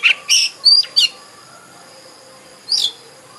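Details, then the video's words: Oriental magpie-robin (kacer), lure song meant to make another kacer sing and spread its tail; a short burst of sharp whistled and buzzy notes, a pause, then one more rising note, over a faint steady high tone. "Pancingan KACER agar GACOR dan EMOSI BUKA EKOR"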